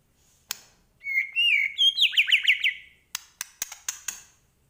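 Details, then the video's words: White-rumped shama, Medan type, singing hard in 'gacor' style with full 'isian' fill: a rising run of whistles leads into a quick series of descending slurred notes, followed by a string of dry clicking ticks. "Murai Batu Medan Gacor Full Isian"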